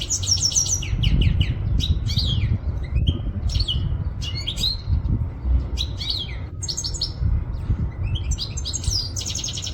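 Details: European goldfinch from Quetta singing: bursts of bright, twittering, tinkling notes and quick liquid trills in short phrases with brief pauses, over a steady low rumbling background hum.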